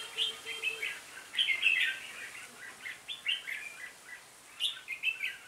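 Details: Trapping session with a red-whiskered bulbul decoy calling the flock, which brought in 20 birds on 26 November 2017. Quick chattering phrases repeat in short bursts, each a cluster of bright chirps.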